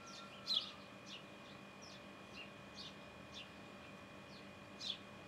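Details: Sparrow in its nest giving faint, short, high chirps that slide downward. They are scattered irregularly over a few seconds above a steady low background hum.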